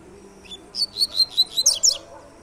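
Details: Double-collared seedeater singing its "tui tui" three-note song type: a quick series of about eight high, clipped whistled notes, the last few sharper and higher, delivered in under two seconds over a quiet background.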